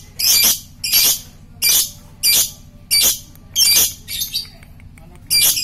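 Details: Lovebird, a fighter bird used as a lure to provoke other lovebirds into chattering: harsh, broadband, scratchy bursts, about half a second each, repeated roughly every 0.7 seconds, seven bursts in all.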